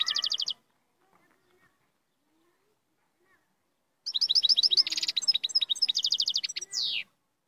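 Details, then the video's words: Moroccan royal goldfinch: a short high trill, a long silence, then three seconds of rapid tinkling twitters with a buzzy rattle, ending in a descending slurred note. "الحسون الملكي المغربي - Chardonneret Royal Marocain"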